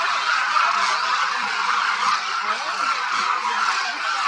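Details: Thousands of Demoiselle cranes (Anthropoides virgo) feeding at Khichan Bird Sanctuary, Rajasthan, India, in winter, calling all at once: a dense, unbroken roar of overlapping croaking, trumpeting voices with no single call standing out.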